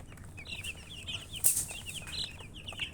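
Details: Chicks peeping continuously in high short chirps, a few per second, with one sharp louder noise midway and a low hum beneath.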